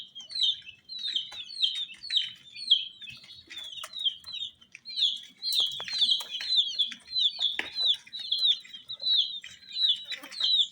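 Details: Rainbow-dyed chicks peeping in a continuous run of shrill, downslurred cheeps, with faint scattered clicks beneath.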